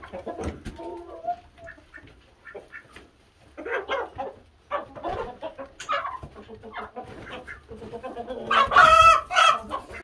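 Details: Brown Leghorn rooster giving scattered low clucks and soft throaty notes, then a loud, harsh, drawn-out crow near the end.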